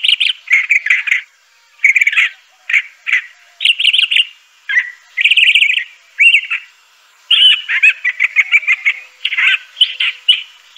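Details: Continuous song of a Crissal thrasher: rapid strings of varied chirps, slurs and trills in bursts of about one second, repeated many times with short pauses, no other sounds heard.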